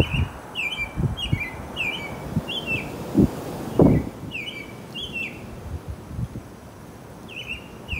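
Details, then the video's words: Female Northern Cardinal sings briskly in strong wind, a series of clear, down-slurred whistles, about two per second, over heavy gusting wind. "The Female Northern Cardinal Singing Briskly in the Strong Wind 北美红雀不畏狂风引颈高歌"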